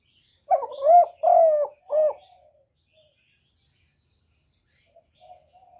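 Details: Spotted dove giving a quick phrase of four soft, hollow coos, the second and third longer and level, followed by near silence with a faint distant coo.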